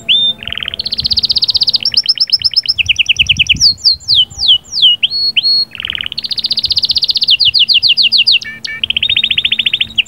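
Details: Canary sahsahat and batbatat singing, meant to bring a female into breeding condition; long fast trills, buzzy rattles and a run of descending whistles, over ten seconds of nearly continuous song.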